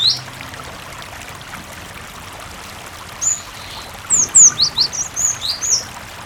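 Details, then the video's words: Cinereous tit in a persistent-singing lure recording meant to make other tits answer; after a quiet stretch, a run of about eight sharp, high, downward-slurred whistles arrives in quick succession over a steady rush of flowing water. "Masteran suara Burung Gelatik Batu gacor sangat ampuh pancingan gelatik berkicau"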